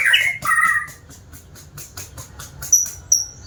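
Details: White-rumped shama, described as a diligent singer: harsh, buzzy notes around the middle register for the first second, then a run of rapid dry clicks and two sharp high whistles near the end.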